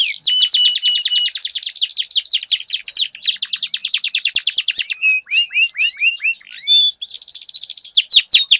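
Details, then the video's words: Canaries in a song duel with long rolls: dense rapid trill held for several seconds, then clipped rising chirps, then the rolling trill returns. "Duel Burung Kenari Suara Merdu Ngerol Panjang"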